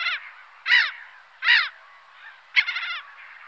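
A Black-headed Gull gives harsh, grating cries, about four in three seconds, with the last one rattling and stuttered; nothing else is heard.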